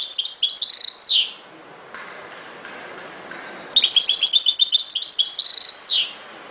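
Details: Goldfinch singing in the ghoroub style, European species: quick jingling runs of high notes, each ending in a downward slurred note, with a long quiet gap between the two phrases.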